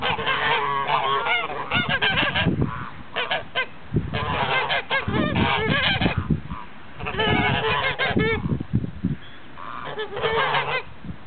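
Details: Blue and grey Toulouse geese, several birds honking together: loud, harsh, nasal honks in dense overlapping bursts, with brief pauses near two, four and seven seconds, then more rapid honking to the end.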